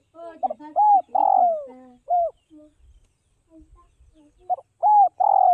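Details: Spotted dove from Vietnam's northwest highlands, tamed and fed by hand, cooing in two bursts of rounded mid-pitched notes separated by a quiet gap with faint lower murmurs and soft thumps.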